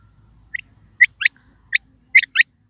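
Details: A quail calling with a single short note followed by clipped doubled notes, each pair sharp and quick, separated by silent gaps.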